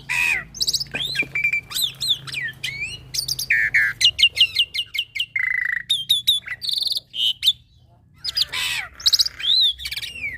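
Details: Young black-winged myna singing actively with a full, varied repertoire: rapid mix of rising whistles, buzzy chatter, harsh squawks and sharp chirps in quick bursts, with brief pauses and a faint low hum beneath.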